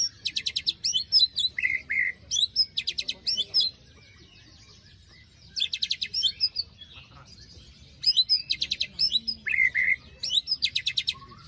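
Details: White-rumped shama delivering grating rattled phrases to provoke a bird gone quiet after moult: rapid buzzy trills with interwoven burry whistles, broken by two silent gaps, each burst lasting around two seconds.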